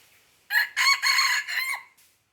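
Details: Red junglefowl crowing in Aceh, recorded 5 January 2020: a loud harsh crow in four bursts, the second and third longest, lasting about one and a half seconds in a quiet setting.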